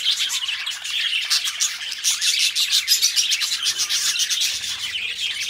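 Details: Pet budgerigars, two companion birds, singing: dense, rapid high-pitched chatter of chirps, clicks and warbles, with notes tumbling several times a second in an unbroken stream.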